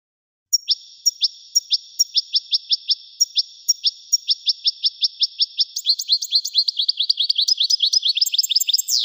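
A European goldfinch sings high, thin chirps that quicken into a rapid tinkling twitter over steady high tones. No other sounds.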